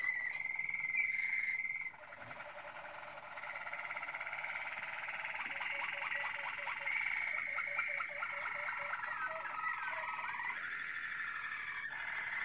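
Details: Long liquid tours from a Malinois Waterslager canary, recorded in 2016: a held warbling note, then extended bubbling, water-like rolls and pulsed trills with shifting pitch, over a low steady hiss.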